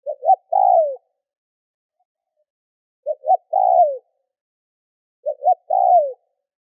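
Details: Spotted dove used as a lure bird, urging coos meant to provoke wild doves: a three-part phrase of two short clipped notes then a longer falling coo, repeated about every two and a half seconds in clean silence.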